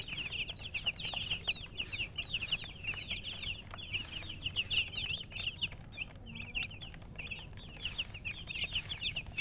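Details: Busy chick chirping: many high, downslurred peeps pile over one another in an unbroken stream, with occasional rustles and a soft low hum.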